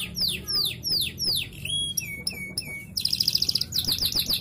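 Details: Canary song used as a lure to stimulate other canaries to sing: rapid series of high descending whistled sweeps, then clipped upswept notes, ending in fast buzzy high trills; faint low hum underneath.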